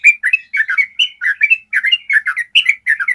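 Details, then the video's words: Clear, long-trilling yellow-vented bulbul, used as a training sound for other bulbuls: quick, bubbly clusters of slurred chirps repeated almost without pause. "Masteran ropel panjang suara jernih bikin trucukanmu jadi rajin ropel"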